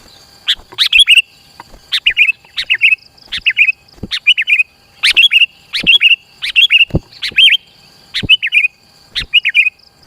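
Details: Sooty-headed bulbul singing briskly, used as a trapping lure that draws rivals near and as a tutor for beginner keepers' birds. Clicks and bright phrases of three or four slurred whistles repeat steadily, roughly every second.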